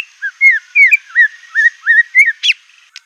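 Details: White-rumped shama singing aggressively with borrowed phrases of canary, cililin, cungkok and LB kapas: a series of loud, clear, slurred whistles about every quarter second, ending in two sharp high notes over a faint steady hiss.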